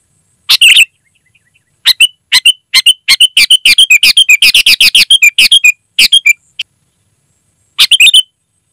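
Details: Sooty-headed bulbul in vigorous song, loud and clear: a rapid run of bubbly chirping notes, many in quick succession, then pauses and a final short phrase, against silence.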